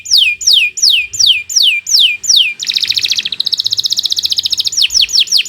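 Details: Kenari Nusantara canary training song: slow series of loud descending whistled sweeps, then a very fast rattling trill, ending with more falling whistles.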